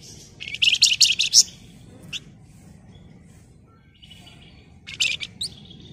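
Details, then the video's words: Flamboyan singing in an excited, rapid style, used as a lure for other birds: a dense, shrill chattering burst of high trilled notes for about a second, a short chirp, then a shorter trill near the end, with a low background hum. "Burung Flamboyan Gacor Emosi Ngebren Rapat Nyerecet Cocok buat Pancingan"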